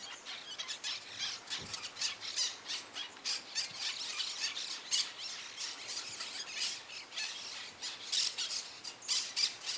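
Black-crested Finch giving harsh, high-pitched chips and squawks in quick, uneven bursts, about three or four a second, over a faint background hiss.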